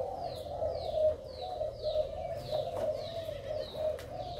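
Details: Male decoy spotted dove of Malaysian stock, described as very vigorous with a beautiful spotted neck collar. Low, steady cooing runs throughout. High, thin downslurred chirps from other small birds repeat roughly every half second above it.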